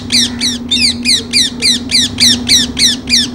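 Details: Rose-ringed parakeet screeching in a fast, even series of about a dozen shrill, downslurred squawks, roughly three a second, with a constant low drone behind.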